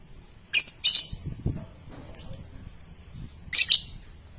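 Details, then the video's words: Young lovebird uttering a pair of sharp shrill squeaks, a pause of over two seconds, then another harsh high double chirp, with faint low rustling between. "MEMANCING LOVEBIRD PAUD, PASTI BAKAL BUNYI NGEKEK NGETIK PANJANG SETELAH MENDENGAR VIDEO INI !!"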